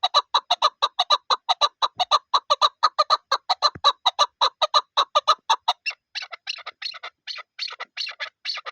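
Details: Chukar partridge kept for hunting, calling with a rapid, even train of clipped chuk notes that later turns into rougher, more broken clucking phrases.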